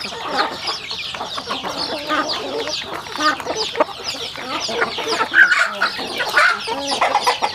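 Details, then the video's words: Rural home chickens feeding, a continuous chatter of thin high peeps, occasional sharper whistled notes, low clucks and pecking clicks from many birds. "Yummy sounds chicken eating"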